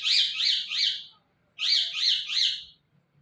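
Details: Ringneck parrot calling in two bursts of three harsh, rasping chirps, each burst about a second long with a short pause between, followed by a person saying "mitthu" repeatedly.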